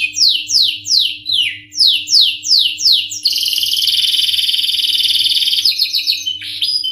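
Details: Canary singing hard in the 'ngerol nembak' style: repeated high notes sliding downward about three per second, breaking into a long, rapid, buzzing roll that runs to the end; low steady hum in the background.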